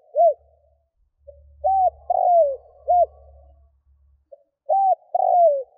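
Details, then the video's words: Decoy spotted dove calling to attract wild doves: repeated phrases of short arched coos and a long downward-gliding coo, low and hollow, over a faint low hum. "Chim cu gáy kích bổi nhanh nổi"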